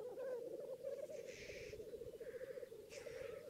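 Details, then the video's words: Black grouse bubbling chorus at a northern England lek: an unbroken low warbling roll overlaid by several short wheezy hissing sneezes. "Black Grouse Lek"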